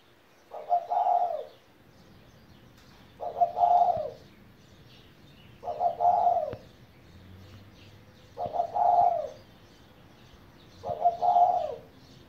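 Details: A pet spotted dove aged 17 years repeats a stuttered, rolling low coo five times at steady intervals of roughly two and a half seconds. Each phrase lasts under a second against a quiet background.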